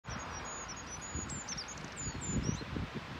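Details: Goldcrest singing on 10 March 2022 beside a footpath at Haga, its first song of the year: very high, thin, sibilant notes in a quick repeated series, with rustling and low rumbling noise underneath.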